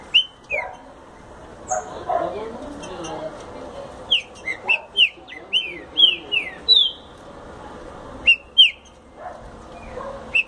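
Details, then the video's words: Song of a green-winged saltator: bright, sharply slurred whistles in rapid loose series with pauses between, faint low background noise and a brief murmur. "Trinca Ferro Explosão 💥 rápido"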